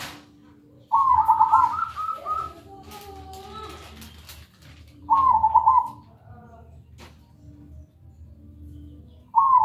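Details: Lure song of a zebra dove (perkutut) in clear, ringing manggung style: loud trilled coo phrases return about every four seconds, each trailed by softer, lower cooing notes, over a quiet low hum.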